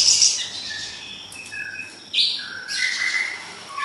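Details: Energetic siri-siri besar song, recorded as tutor material for songbirds: a mix of short clear whistles at several pitches and harsh, high buzzy phrases that recur about every half second.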